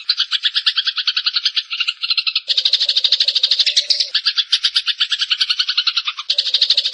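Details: Eurasian tree sparrow song in varied form, used as a masteran training recording for competition songbirds, with pauses and clear sound: dense, rapid streams of high chattering chirps, with brief breaks and a lower buzzy note running beneath at times.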